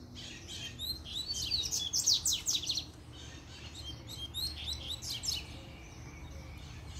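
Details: A double-collared seedeater sings its puxada sequence, challenging rivals to fight. A long, loud rush of quick buzzy strokes is followed by a second shorter burst and quieter trailing notes, with a low background hum.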